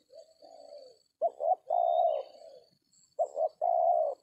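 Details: Spotted dove calling during dove trapping with a decoy in an oil palm plantation: a soft opening coo, then two phrases of short paired notes ending in long, even coos, faint thin whistles above.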